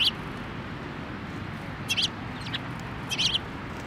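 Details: Sparrows coming to a post for food at a Tenmangu shrine on 1 December 2023; short, high chirps at the start, near two seconds and near three seconds, over steady low background hum.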